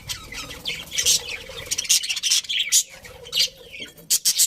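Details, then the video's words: Several happy budgies in a colony making scratchy chatter with loud, abrupt squeaks and chirps scattered every half second or so. "Happy Budgies Chirping Sounds"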